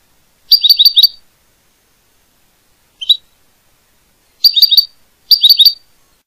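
Goldfinch singing in short bursts of bright, rapid twittering notes, four or five quick chirps per phrase, separated by pauses; otherwise quiet.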